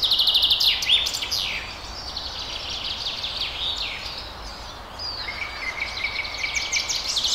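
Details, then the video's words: Several birds in a forest chirp and trill in fast high sweeping notes. A thin, steady whistled tone joins in the second half, all over a faint constant background hiss. "Birds In Forest Loop Sound Effect"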